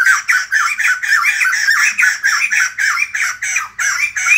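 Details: Morning song of the White-crested laughingthrush, a raucous laughing chatter of quick bouncing notes, roughly three or four per second, strung together in an unbroken rollicking stream.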